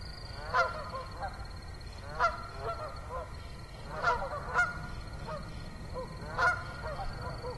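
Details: Geese at Assabet River National Wildlife Refuge on an October 2014 autumn evening, giving irregular honks, some loud and some softer and farther off, over a continuous steady high-pitched drone.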